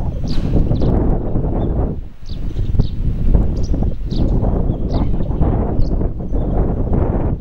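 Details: Russet sparrow calling from a cherry tree: short, high, thin chirps scattered every half second or so, some in quick pairs, over heavy low wind rumble and rustling leaves.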